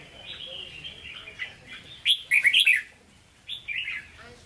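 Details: Hue-style song of a caged red-whiskered bulbul: soft warbling at first, then a loud burst of sharp whistled notes near the middle and one more short phrase at the end, over a low background rumble.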